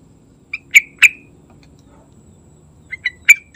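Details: Sooty-headed bulbul singing briskly in the morning, heard as two separate phrases: three chirpy notes, a long pause, then three more notes ending in a stretched, slurred final note. The background is quiet.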